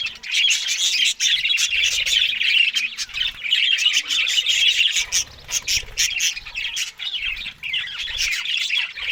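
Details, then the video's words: Budgerigars eating green food in the morning produce an unbroken stream of high twittering, chirps and harsh squawks from several birds, pulsing in short bursts. "Australian Budgies morning Eating Green Food"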